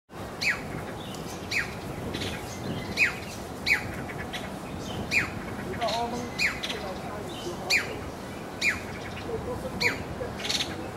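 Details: Masked laughingthrush (Garrulax perspicillatus) recorded in 1999 in Kowloon Park, Hong Kong, giving harsh, sharp chip notes, roughly one per second, over a steady low background hum.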